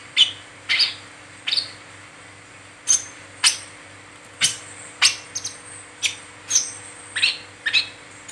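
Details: Brown-throated sunbird's 'ngeriwik teler' calling, used as a lure for other sunbirds: thin, very high sharp chips, single or in quick pairs, spaced about half a second to a second apart, with a faint background hum.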